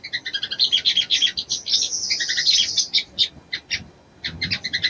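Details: High, fast chattering chips from a female little spiderhunter calling to arouse the male, a dense run followed by spaced notes and a short final burst.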